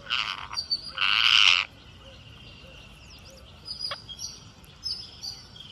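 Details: Green parakeet calling while feeding: two loud, harsh, rasping squawks in the first second and a half, the second longer and stronger, followed by faint scattered chirps and thin high whistles over a quiet background.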